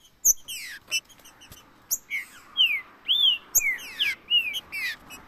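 Green-winged saltator giving quick, bright whistled phrases, with slurred rising and falling notes about twice a second and a few sharp clicks between them.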